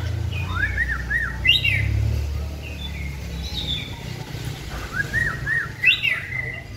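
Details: Trained caged white-rumped shama hung on a pole: two similar phrases of quick zigzag whistles ending in a bright burst, a few seconds apart, over low rumbling noise.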